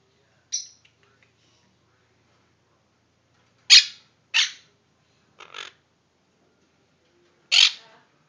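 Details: Harsh, raspy squawks from a baby monk (Quaker) parakeet, one of four babies in a cage, given singly at irregular intervals.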